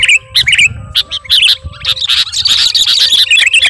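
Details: Sooty-headed bulbul of the type called garuda, singing to call a rival: short bubbly, warbled phrases mixed with sharp, clipped chirps in quick bursts, with brief gaps between.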